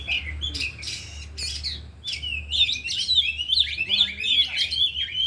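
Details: Kacer, or oriental magpie-robin, one of four kept birds in afternoon training, all singing their isian. Scratchy bursts at first, then a dense fast stream of piercing whistled notes. A low hum and faint voices are in the background.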